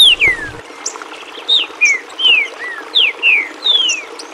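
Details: Rufous-bellied thrush in the Tio João dialect, native to the Zona da Mata region of Minas Gerais, Brazil, used for training young birds: a rapid run of about ten short, clear downward-sliding whistles with brief pauses.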